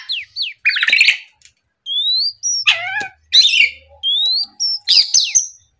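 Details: Morning singing of an Oriental magpie-robin used to provoke rivals: paired downslurred notes, buzzy harsh bursts, long rising whistles, and a low descending slurred note, in a steady alternation of phrases.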